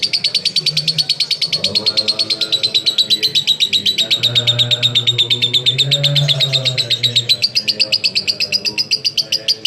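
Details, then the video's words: ["Lovebird 'konslet' ngekek, long chattering song used to prompt other lovebirds to join in: continuous fast high pulsing that holds steady then rises slightly, with low droning and murmuring background sounds."] "LoveBird Konslet Ngekek Panjang Terbukti Ampuh Pemancing Love Bird Ikut Ngekek"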